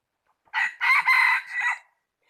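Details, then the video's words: Rooster crowing, dated 16 January 2020: a loud, harsh four-part crow lasting about 1.3 seconds, a short opening note, a long sustained middle and a falling final syllable, in a quiet setting with no other sounds. "Qaib dib coj mug sim qaib qug qua zoo heev gà gáy hay nhất"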